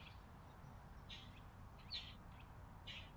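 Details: A chickadee feeding on a porch in winter, December 2022, gives three short, buzzy, high notes about one a second over a steady low rumble of background noise.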